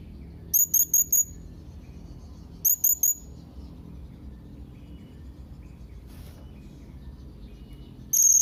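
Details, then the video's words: Young blue-crowned hanging parrot calling out to rivals, which answer such calls: piercing high chirps in quick groups of three or four, spaced by silent gaps, over faint background hum. "SERINDIT MUDA GACOR MEMANGGIL LAWAN"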